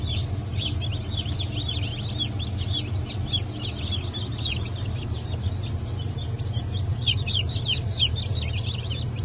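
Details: Hatchling chicks of Brahma, Sussex and Maran breeds, from a hatch dated 1 April 2024, give rapid, high, rising-and-falling peeps in a crowded chorus. A low background hum continues throughout.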